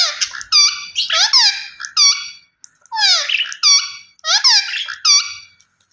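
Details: Loud, grating squawks from a rose-ringed parakeet, grouped into three clusters of several descending shrieks, separated by brief pauses.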